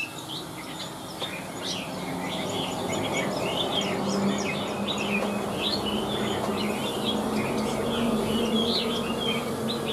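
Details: Chinese hwamei kept in a cage, a big bird singing high: quick whistled and warbled notes in a steady stream, partly buried under strong background noise and a low droning hum.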